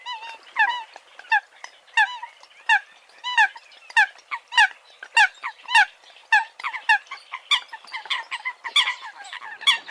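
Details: Eurasian coot: clear, nasal, down-curving honks repeated at irregular intervals of about half a second to a second, with fainter calls from other birds behind.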